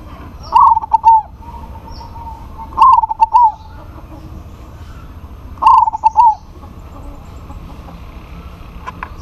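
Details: Zebra dove of local stock singing actively to call a rival, which answers. Three short, loud phrases of stuttering, rolling coos, each falling slightly, come roughly every two and a half seconds against a quiet background.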